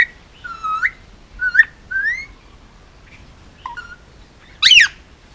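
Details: Male Indian ringneck parakeet, hand-fed, almost two years old, Oahu, Hawaii, gives short upslurred whistles and brief chirps, ending in a loud, harsh squawk.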